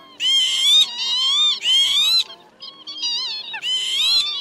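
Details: Lure recording of northern lapwing for trapping migrants with nets at night, calling a flock of both sexes: loud, harmonic, rising-then-falling wheezy calls in four main bursts over a few seconds, with short breaks.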